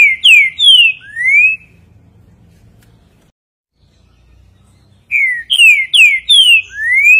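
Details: A green-winged saltator gives two loud phrases of its five-note "bom dia seu Chico boi" song, clear slurred whistles with the last note rising, separated by a silent gap of about three seconds over a faint low hum.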